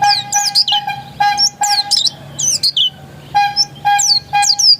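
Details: Oriental white-eye, pleci dakun type, described as still original: high, twisting, falling whistles in groups, mixed with a repeated steady mid-pitched tone that sounds at regular intervals.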